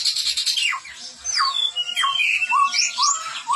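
Chestnut-rumped babbler giving a lively run of clear whistles, steeply slurred downward about twice a second, then a few quick rising notes, with voices overlapping.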